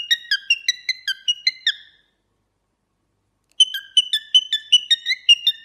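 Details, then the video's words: Cockatiel song of crisp, high, descending whistled chirps repeated in rapid even runs, one phrase at the start and another after a pause of nearly two seconds. "cockatiel bird singing and talking"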